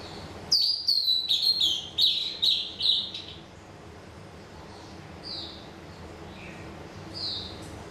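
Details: Songbird song opening with a rapid run of about eight bright, sharp notes that slur downward, then a few softer, scattered whistles over faint background noise.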